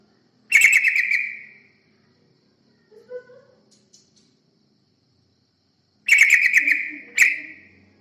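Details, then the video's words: Yellow-vented bulbul song used to lure other birds: a quick, bubbly chattering phrase, a long quiet gap with a few faint soft notes, then two more chattering bursts close together. "Pancingan burung terucukan"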